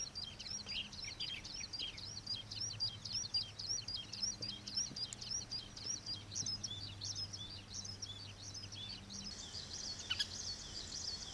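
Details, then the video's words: Juvenile common waxbills (Estrilda astrild), introduced species, at Pingtung Old Iron Bridge wetland, Taiwan, 21 June 2023, give a steady stream of thin, high, buzzy chips and twitters, overlapping busily, with a low hum beneath. "橫斑梅花雀幼鳥/Common Waxbill Jevenile"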